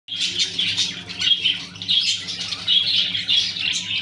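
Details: Clearwing budgerigars chattering without pause: overlapping bright warbles, chirps and squeaky notes run throughout, with a faint steady low hum beneath.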